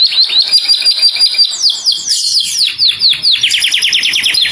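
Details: Canary calling out to its companion in a clear voice: a steady high trill, then a cascade of quick downslurred notes speeding into a rapid rolling series.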